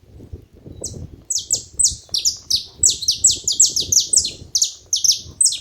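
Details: High, rapid, down-slurred chirps from a saffron finch at a feeding spot, a lively run of roughly fifteen notes over four seconds above a faint low murmur.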